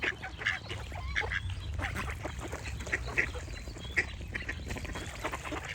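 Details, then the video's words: Ducks quacking in a busy group, with harsh, nasal quacks overlapping in quick, uneven bursts over a steady low rumble. "Relaxing Duck Quack Sound Effects"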